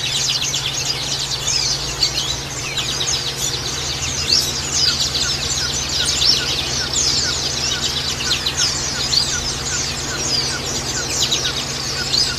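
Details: Caged white-eyes (pleci) in a recording meant to stimulate reluctant singers twitter in a continuous stream of thin, high, rapid chirps that overlap without pause, over a steady low electrical hum.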